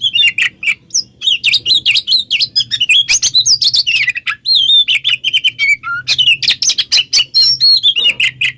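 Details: Mixed lure recording of an oriental magpie-robin singing to draw other magpie-robins into answering; a dense, unbroken stream of bright twisting whistles, chirps and scratchy notes, with a faint steady hum beneath.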